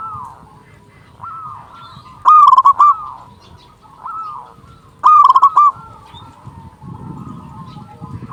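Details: Strong-voiced local zebra dove, a perkutut lure for quiet or stressed doves: two rattling phrases of fast clipped coos about three seconds apart, among softer cooing from nearby doves.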